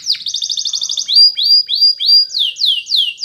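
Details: Canary training song: a rapid rolling trill followed by a series of rising whistled notes, then repeated downward-sweeping notes about every quarter second, bright and high.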